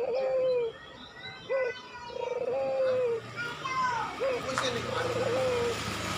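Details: Pelung-type Barbary dove cooing as a lure for reluctant doves: a short clipped coo and long drawn-out purring notes, with children's voices and chatter behind.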